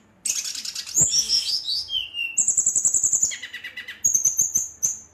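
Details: Brown-chested jungle flycatcher provoking rival birds with energetic rolling song: after a brief silence, dense buzzy chatter, a rapid even trill of high notes, then repeated sharp whistles.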